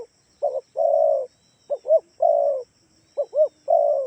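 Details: Spotted dove from Kalimantan calling as a lure for other doves: two quick soft coos then one long steady coo, the phrase given three times, nothing else audible.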